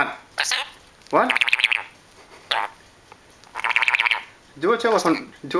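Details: Pet lory bird talking back during an argument with its owner indoors, bursts of harsh, speech-like squawky phrases with wavering pitch, separated by short pauses.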